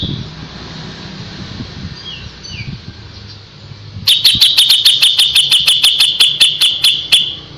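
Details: A fast, even burst of sharp, clicking high notes arrives from a kapas tembak halfway through, following faint thin whistles over background traffic rumble. The bird is presented as a master voice for shama chicks, with rapid 'tembakan' firing.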